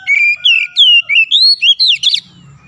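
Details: Magpie-robin singing a varied phrase of sweet, sliding whistles that rise and fall, ending in a quick scratchy flourish.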